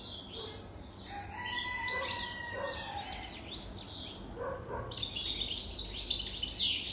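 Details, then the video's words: European goldfinch over three years old singing: scattered twittering, buzzy notes, then a dense burst of high liquid chatter in the last two seconds, with faint lower tones earlier. "تغريد طائر الحسون"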